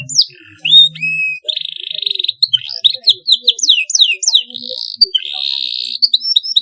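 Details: Canary giving clean, long masteran-style song: rising whistles, a sustained buzzy trill, then a quick series of descending slurred notes and a second buzzy roll.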